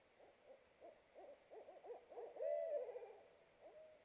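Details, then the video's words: A pair of Barred Owls hooting in duet during an incubation break at a nest box in a wooded backyard, April 2, 2018: a rapid, overlapping jumble of low, wavering hoots building to a drawn-out, quavering note. "Hooting Duet While Taking an Incubation Break"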